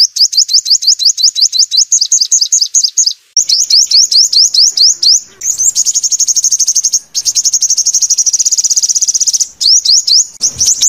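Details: Sunbird song played as a trapping lure: long series of rapid, high, upward-flicking whistled notes, alternating with extended buzzy, fast-pulsed high trills, with a few short breaks, on a clean background.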